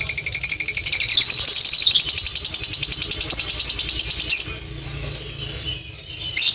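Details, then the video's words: Caged lovebird giving a long ngekek trill: a rapid, buzzy, chattering run of high repeated notes held for about four and a half seconds, then softer twittering and a final short burst. "durasi ngekek panjang"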